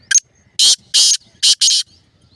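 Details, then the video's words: Black francolin (kala teetar) recorded on 12/5/2024: a loud, close, harsh grating call made of one short clipped note followed by four broad rasping notes, the last two run together, over an otherwise quiet background. "Kala Teetar Ki Awaz"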